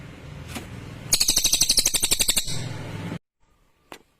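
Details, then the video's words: Lesser green leafbird singing clear and sharp: a two-second run of rapid, evenly spaced harsh notes over a low background hum, then sudden silence and one soft tap. "SUARA CILILIN JERNIH TAJAM !!"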